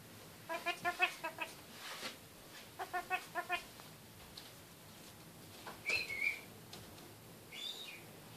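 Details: Pet kakariki kept in a cage and talking. Two bursts of quick, nasal, harmonic chattering notes come in rapid runs, followed by a couple of brief high whistled slurs, with a quiet indoor background.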